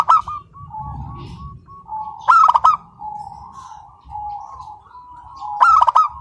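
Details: Zebra dove of local stock singing continuously: low, steady cooing notes in a drawn-out chain, interrupted twice by loud, rattling bursts of stacked coos.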